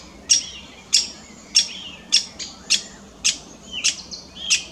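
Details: A probable lesser spotted woodpecker with an odd, possibly wounded beak gives sharp, harsh, high 'kik' call notes, spaced about half a second to a second apart, over a quiet background.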